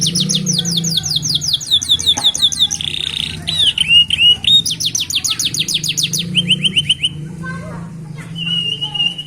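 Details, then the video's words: Juvenile canaries singing with a unique rhythm beside a road: quick rising-falling note series, a buzzy rattled segment, then flat whistled trills, over a steady low hum and some background noise. "صوت فراخ الكناري يغني بإيقاع فريد من نوعه ، يبدأ في الجرأة على الغناء على جانب الطريق"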